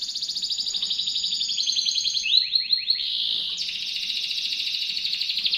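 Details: Canary kept as a master songster for magpie-robins, singing sharply: a long high trill, a few quick down-slurred notes, then a lower, dense rattling trill to the end.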